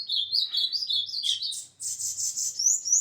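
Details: Ultramarine grosbeak on 21 December 2024, delivering a fast, continuous warble of high notes that turns brighter and more rising in its final phrase.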